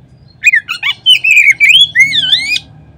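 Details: Oriental magpie-robin singing on a lure recording meant to prompt other magpie-robins to sing: a few short chirps, then long, rich, gliding whistles rising and falling, with a final dipping swoop.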